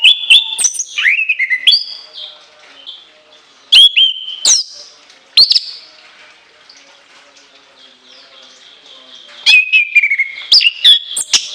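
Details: Shrill, long-filled song of an orange-headed thrush: loud bursts of sharp whistles, steep upward sweeps and slurred falling notes, separated by quieter stretches of soft sustained warbling, with a final burst of rapid varied whistles.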